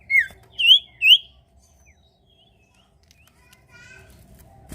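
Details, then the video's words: Sirtu bird singing to prompt other birds into song: three loud, sharp, downward-swept chirps open the phrase, then a quiet pause and soft, fine, rapid trills. "sirpu gacor cocok pancing bunyi burung ombyokan"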